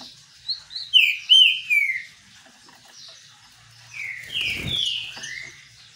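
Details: Green-winged saltator singing during a sunbath: a burst of rich, slurred whistles falling in pitch, a pause, then a second falling phrase over a brief knocking sound.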